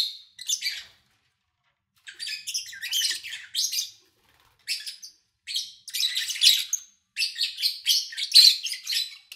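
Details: Captive lovebirds recorded in August 2019, between morning and evening, with little outside noise: one early squeaky note, a gap of over a second, then dense runs of shrill, rasping chirps.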